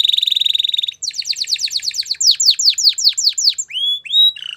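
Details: Singing canary opening with a rapid, even pulsed trill, then a string of quick downward-swept chips that grows louder, closing with short rising whistles and a lower buzzy note.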